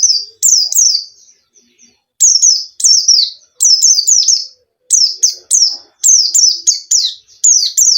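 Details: White-eye song meant to lure a caged bird into singing: a steady series of high sharp whistled phrases, each falling in pitch, mostly paired, repeated rapidly with brief gaps.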